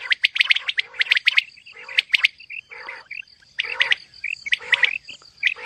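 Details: Female common quail mixed calling: scratchy chirp clusters mixed with lower rasping notes and a few short clear whistles, irregularly spaced, over a steady high background tone.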